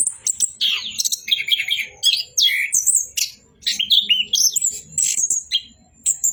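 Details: Orange-headed thrush in busy 'bocor' song: rapid rattling trills and slurred whistles, then high sharp notes. Short gaps separate the bursts.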